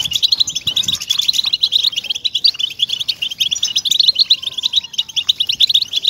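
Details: {'caption': 'European goldfinch song played to encourage captive goldfinches to sing: continuous, crowded high twittering with sharp chirps and rattling trills, steady throughout.'}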